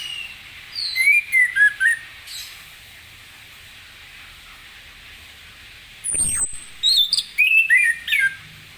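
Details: Orange-headed thrush in ngeplong song on a morning, used to make other birds reply: short slurred whistled notes in quick groups over steady hiss, with a sharp sweeping sound midway before more phrases.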